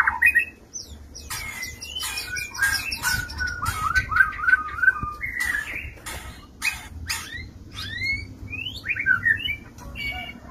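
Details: Male white-rumped shama courting a female in a small stacked breeding cage, singing a long varied phrase of whistles, quick rising notes and harsh broadband bursts, with short pauses between segments.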